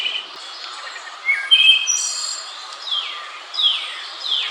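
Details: Song of a wood thrush in New York's Central Park. A flute-like phrase runs into a ringing high trill, followed by a few softer descending slurred notes.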